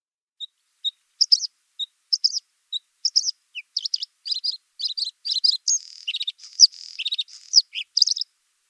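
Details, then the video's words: Bluethroat singing: opens with sparse thin ticks, builds into varied buzzy chirps and rattling phrases, then dense trilled passages and scratchy notes in a lively, varied medley. "Варакушка (Luscinia svecica) - голос"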